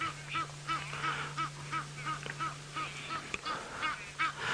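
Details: Egyptian geese at a dam in Djuma, Sabi Sand, South Africa, on an afternoon of 30 October 2017 honk harshly at about three calls per second over an engine hum; they seem upset, possibly by an intruder.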